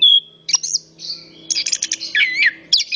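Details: Orange-headed thrush, a male, singing a rich medley: a pure whistle opening, then buzzy chattering bursts and wavering, slurred notes, all high-pitched, over a faint steady low hum.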